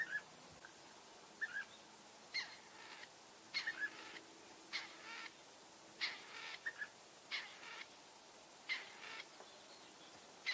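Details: European bee-eater in the Eifel, Germany: short rolling, liquid calls repeated in clusters roughly every one to two seconds, fairly faint over a quiet background.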